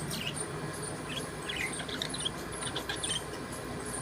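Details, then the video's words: Budgerigar chirping in the morning: a steady scatter of short, high, twittering chirps and squeaks, several per second, running throughout over a constant background hiss. "Budgie Beautiful Morning Chirping Sounds"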